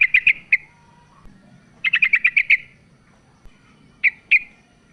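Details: Calling to the male, a female sooty-headed bulbul gives quick rattled chirp runs of four to six notes, then two separate bright chirps, with a low murmur underneath.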